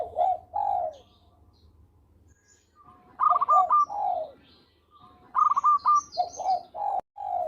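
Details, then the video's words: Local zebra dove in full song, used for luring birds: two phrases, each a rapid burst of staccato clucks followed by rolling, falling coos, separated by a short quiet gap; one sharp click. "Perkutut Lokal Gacor Suara Merdu Cocok Buat Pikat"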